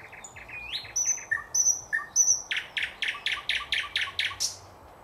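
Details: Thrush nightingale song from 2024: quick chirps and pure sustained whistles, followed by a powerful, even run of about nine harsh, broad chopping notes, each with a soft low blip.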